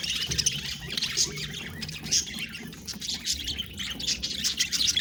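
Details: Pet budgerigars chattering together, a dense stream of high scratchy squawks and quick chirps overlapping without pause, with a faint low rumble underneath.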